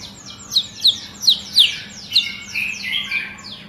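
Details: Agitated white-rumped shama with long tail delivering high, sharp descending whistled strokes about every third of a second, thinning into softer warbling, against a steady low hum.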